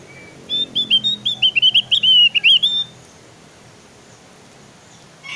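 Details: Javan grey-throated white-eye, a recording meant to coax other birds into singing: a rapid string of about thirteen bright, high whistled notes with short upward flicks, lasting roughly two and a half seconds, then quiet.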